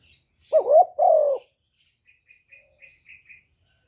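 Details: Decoy Spotted dove cooing against a wild bird: one low phrase of a wavering note and a longer falling coo, followed by a run of faint, short high chirps from another bird.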